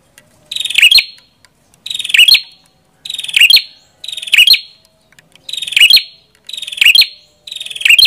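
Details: A chestnut-headed prinia gives loud, high, buzzy chattering bursts, each about half a second long, repeated roughly every second and a half with silence between.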